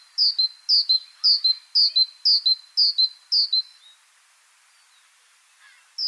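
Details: Great Tit singing a repeated series of two-part phrases, high then lower, roughly twice a second, like 'chapim, chapim'; the series stops near four seconds, a faint call follows, and a new phrase begins at the end.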